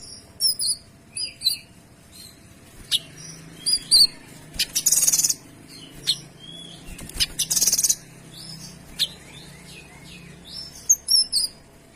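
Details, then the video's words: Lively Kinoy song for tutoring: high thin whistled notes and short rising slurs scattered throughout, broken by two dense rasping bursts of rapid notes. "Suara Kinoy Gacor Tembakan Rapat dan Jernih"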